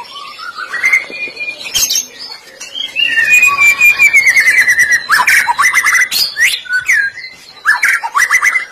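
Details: White-rumped shama lure song for getting shamas to sing: rising whistles, a long trilled descending run, then repeated sharp upswept whistles and harsh scratchy bursts.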